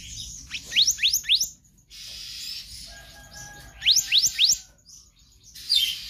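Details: Konslet-style song of a kehicap ranting magpie-robin, recorded for training other birds: two bursts of three fast rising whistles, separated by a brief low tone and a soft hiss.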